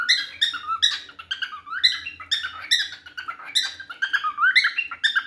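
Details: Pet cockatiel singing while chasing a baby indoors: a rapid run of chirpy, whistled notes with rising and falling slurs, lively and continuous, with a faint low hum underneath.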